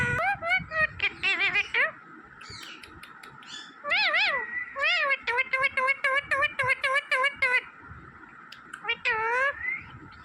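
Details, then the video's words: Talking green parrot in a quiet room, clear high nasal voice-like calls, a few rising-and-falling phrases then a rapid string of short even syllables, ending with an upward whistled slide. "smart green Parrot Talking Natural Sounds"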